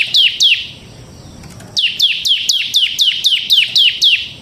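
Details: Semi-gacor bar-winged prinia giving ngebren song for use as a lure: two sharp descending notes, a pause, then a steady sequence of about ten similar high falling notes.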